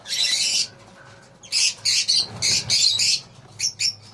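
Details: Harsh, broad screeching squawks from a lovebird colony in several separate bursts, a long shriek at first, then a pause and a run of shorter rasping calls, ending with two brief squeaks.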